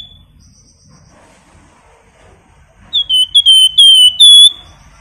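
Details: Caged Flamboyan singing in the rapid 'nyiul' style, used as a lure to prompt other pet birds to sing: after a quiet start, a burst of loud, clear, high whistled notes, several short then longer sliding phrases over about two seconds.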